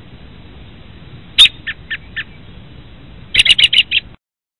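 An American robin gives a sharp note followed by three clipped tuts, then a quick run of six loud, chattering notes, with nothing else heard.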